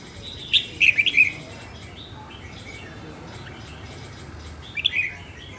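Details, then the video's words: Northern-type red-whiskered bulbul, female, practising song: a rapid warbled phrase of several chirpy notes, then silence, then a second brief phrase about four seconds later. "Chào mào hót | luyen giọng chao mào | Chào mào mái"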